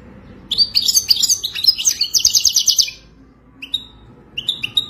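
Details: Wadani-style song of a Moroccan goldfinch: a fast, tinkling run of chirps and rattling trills for over two seconds, then a pause and a few sharp, clear single notes.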